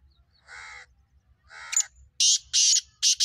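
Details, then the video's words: Black francolin delivering two drawn-out nasal rasping notes, then a rapid sequence of very loud, harsh grating calls in close succession. "Black francolin voice"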